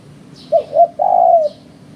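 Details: Cooing of a spotted dove of the kind trappers use to lure birds: two brief low hoots, then a longer sustained coo that fades out, all heard over faint steady noise.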